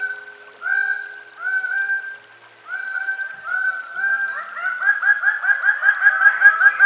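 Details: Greater bird-of-paradise giving loud, nasal, honking calls: a few drawn-out notes with gaps, then a fast run of short, repeated, slurred notes about two or three per second that grows louder toward the end.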